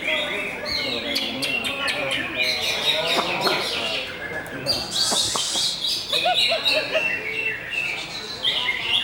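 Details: Greater green leafbird (cucak hijau) singing a busy stream of high whistled and chirped notes, quick varied phrases rising and falling, with a few sharp clicks and a steady background hiss.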